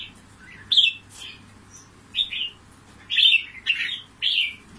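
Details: Red-whiskered bulbul, a trapped bird from Cao Bằng, Vietnam, picked for fighting contests, sings short, bright, warbled whistled phrases, five or six bursts in under five seconds, with a faint low hum behind.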